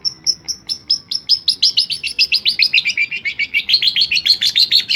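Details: Long-tailed shrike imitating other species, here a long accelerating series of short high chirps, about three or four per second, growing louder and dropping slightly in pitch.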